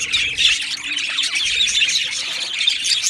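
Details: Australian budgies in a colony aviary, 12 July 2025, producing a thick blur of raspy squawks and high chirruping, several birds calling at once over a brief stretch.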